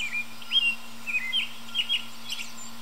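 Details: Early-evening song of an American robin high in a tree: several quick, slurred whistled notes in short clusters, quiet against a persistent low hum.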